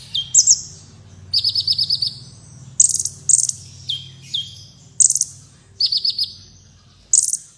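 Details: Black Sunbird (kolibri wulung) in full song, recorded as tutor material for competition birds: high shrill chips, a brief rattling trill and quick down-slurred notes, with a low background hum.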